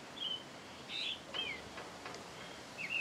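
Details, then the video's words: A thrush singing at its singing hour: a run of sweet, high whistled phrases with quick slurs, separated by brief gaps, over soft background hiss. "Zorzal en su hora de cantar"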